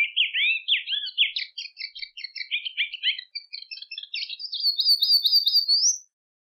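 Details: Rusty-collared seedeater singing, a wetland seedeater used for song training: dense, rapid tumbling warble of slurred notes that ends in a run of clear rising whistled slurs repeated about five times, clean recording.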